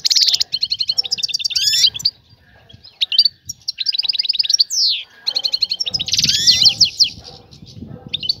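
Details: European goldfinch, tied to a female calling a male for mating: fast rattling trills and tinkling twitters in long runs, a swooping whistle, then more buzzy trills over some low rumble near the end.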